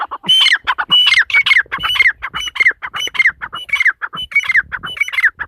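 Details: Korak call of a female teetar, or partridge: a steady, unbroken stream of rasping, squawky notes repeated rapidly, each with a sharp ringing overtone, loud and close throughout.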